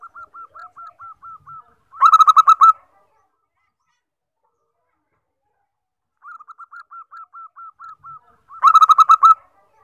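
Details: Common 14-tail-feather zebra dove, for luring and training birds: a string of soft quick coos leading into a loud rolling burst, the whole phrase given twice about six seconds apart.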